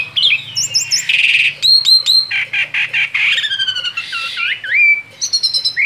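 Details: Singing freely outside its cage, a male Asian pied starling delivers a busy rolling song: piping whistles, rapid clicking bursts, a rasping hiss, and a wavering upslurred whistle near the end.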